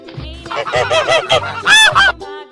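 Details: Goose honking: a quick run of about seven loud, nasal, harmonic honks in under three seconds, rising and falling in pitch, with quieter honks trailing off at the end.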